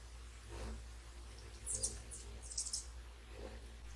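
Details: Hummingbirds feeding in early morning at sunrise, many visiting constantly beside a small babbling fountain and birdbath; clusters of very high, thin squeaky chirps bunched over about a second midway, with soft low thumps before and after.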